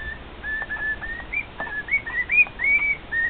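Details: Male cockatiel kept with two other cockatiels sings a quickening string of whistles, starting with level notes and building into looping, rising-and-falling slurs near the end.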